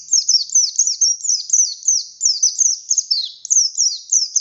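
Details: Oriental white-eye, buxtoni type, singing energetically to provoke other white-eyes: an unbroken stream of sharp, high, downward-sweeping chirps repeated several times a second.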